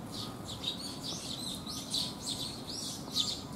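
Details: Sparrows come to be fed at a rainy-day shelter on 19 June 2021, giving lively high chirps and twitters in uneven bursts, several birds overlapping, with quiet rain behind.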